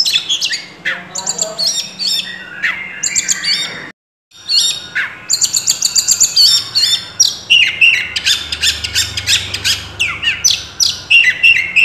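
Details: Oriental magpie-robin singing a full, rich song with mimicked phrases: fast varied high whistles, chirps and rattling notes, many sweeping up and down, broken by a brief silence near four seconds and then resuming in dense repeated bursts.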